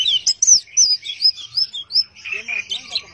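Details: Orange-headed thrush singing in the 'teler' manner: a fast run of bright up-and-down whistled notes about three per second, ending in lower buzzy slurred phrases.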